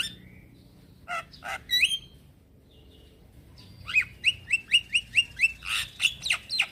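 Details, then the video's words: A male Javan myna calls to young companions: a few scattered chirps and a whistle, a quiet gap, then a rapid series of about ten sharp, rising chip notes ending in harsher squawks. "Kicauan Jalak Kebo Jantan Memanggil Kawan Jalak Kebo Muda"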